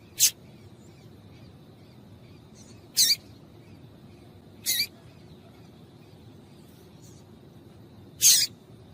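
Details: A female papa-capim seedeater gives short, piercing chips, a call said to set males singing. Four single notes are irregularly spaced two to four seconds apart against faint background hiss.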